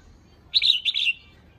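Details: Female red-whiskered bulbul, a caged bird, calling to excite males: a single lively phrase of quick, slurred whistled notes in two parts lasting about 0.6 seconds, clear against a quiet background.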